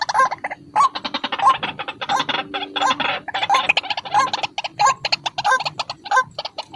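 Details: Lure call of the white-breasted waterhen, a lively caller: rapid, overlapping harsh notes with recurring rising hooked phrases, in a dense, uneven stream.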